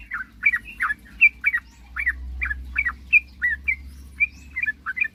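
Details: Sooty-headed bulbul singing to provoke rivals into calling: separate clear chirps, some falling and some rising, spaced at uneven intervals over a steady low hum.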